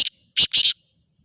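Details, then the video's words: Black francolin calling: a short harsh note followed by two loud, grating, broadband bursts, the last one longer, then silence. "شیدی کالا تیتر کی مکس آوازیں کالا تیتر مست بولار"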